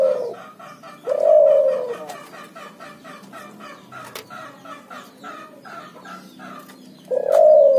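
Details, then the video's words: Ngoar-nguku calling from a cuhu, a hybrid of puter dove and spotted dove (tekukur): deep drawn-out coos at the start, near one second and near seven seconds, with soft high chirps from small birds filling the gaps between. "suara burung cuhu gacor ngoar nguku hasil silang puterxtekukur"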